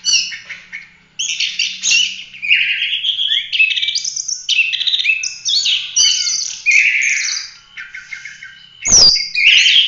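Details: Continuous 'gacor' song of an Oriental magpie-robin, full roll tembak style, suited as masteran for training other birds: dense run of high whistles, buzzy trills and slurred notes, one sharp click near the end.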